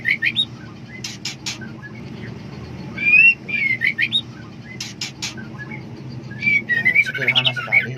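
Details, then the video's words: Female white-rumped shama, in heat and seeking a male, gives scattered rising whistles mixed with many loud dry clicks, ending in a busier chattering burst. "Suara Khas Murai Betina Sedang Over Birahi Mencari Jantan"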